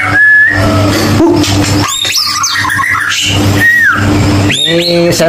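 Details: White-rumped shama song used as a lure to prompt silent birds to sing: clear whistled notes, some steady and some sweeping up or down, separated by short pauses, over a constant low electrical hum and background noise.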